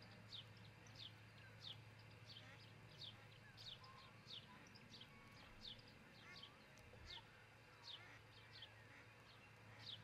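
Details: An osprey at a Charlo, Montana nest, recorded by a nest camera early on 22 June 2018. Rapid high chirps slur downward in a steady, repeated sequence, with faint lower bird warbles and a persistent low hum.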